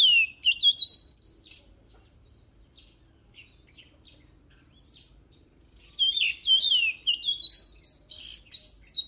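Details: Singing oriental magpie-robin: a loud opening phrase of looping whistles, a long quiet pause with faint notes, then dense, varied whistled phrases with sharp upward and downward slurs.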